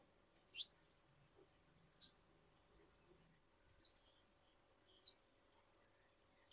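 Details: Kolibri ninja sunbird, recorded as a lure to prompt birds to sing: sharp, very high separate chips spaced over several seconds, then a fast, even series of bright high notes repeated about four times a second, in otherwise quiet surroundings.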